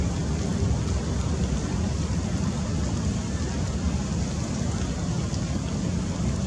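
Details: Continuous rumbling broadband noise like wind or a running engine, with no animal calls.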